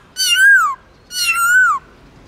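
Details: Two long, full-toned whistles from a caged black-throated laughingthrush singing in forest-voice style, each held steady and then gliding down at the end.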